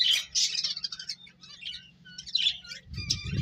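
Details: Finches, eating and playing, give quick, high, twittering chirps in overlapping bursts, with soft low rumbling and a thump near the end.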